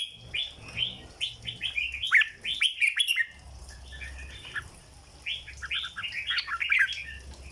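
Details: Red-whiskered bulbul kept in a cage, in the legendary 'rong dok' (flower) song style: quick runs of bright, slurred whistles in two bursts, separated by a brief pause.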